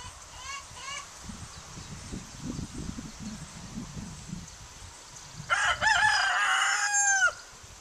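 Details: Rooster recorded on July 4, 2010, giving one loud drawn-out crow of about two seconds near the end, after faint clucks and low background rumble.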